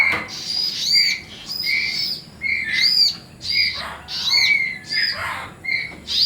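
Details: Nestling bar-winged prinias calling during feeding, a loud run of high, ringing chirps with bright overtones, repeated about once a second in pulsing waves.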